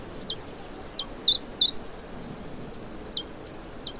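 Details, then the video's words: Spring song of a common chiffchaff in the Vilaine estuary, Morbihan, Brittany, recorded 29 May 2023: eleven bright, clipped notes alternating slightly in pitch, delivered briskly at nearly three per second against a quiet background. "POUILLOT Véloce/Chant/Printemps !"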